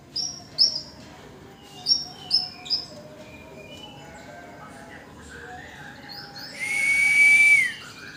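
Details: Singing tame yellow-bellied warbler. Several isolated, very high, clipped chirps come in a scattered series, building to a loud, long, steady whistle at the close.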